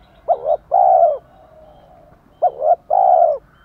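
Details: Spotted dove coos meant to provoke a newly caught male into cooing. Two low phrases, each a short wavering double note followed by one long, steady, mellow coo, separated by a soft pause.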